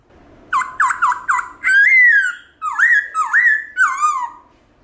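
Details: Black-throated laughingthrush giving a wild-style song meant to spur pet birds into singing: three quick falling whistles, then a long sustained slurred whistle, followed by several looping rising-falling whistled notes in a quiet room.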